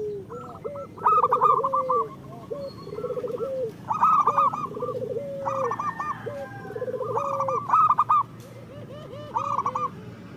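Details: Local zebra doves singing together, used as therapy so moulting or reluctant birds start cooing. Repeated phrases of short stuttered high coos and lower rolling trills overlap across the whole stretch.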